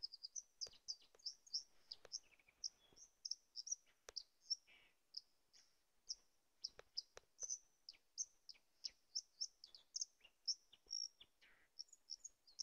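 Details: White-throated dipper (Cinclus cinclus) singing at the tarn below Kozí štít: a fast, continuous run of high, thin, scratchy chirps and trills, with occasional sharp clicks and splashy background sounds.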